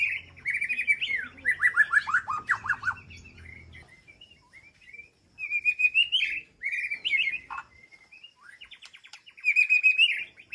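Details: Caged white-rumped shama in an aviary sanctuary, calling to its flock: rich whistled phrases with descending slurred notes come in bursts separated by quiet gaps, and a short sharp note falls near the middle, against faint low hum.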